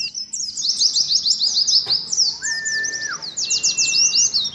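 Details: Oriental white-eye in competing ngalas song: rapid, bright high chirps running almost nonstop, a lower steady tone in the middle, then a burst of quick sweeping notes over a thin level whistle.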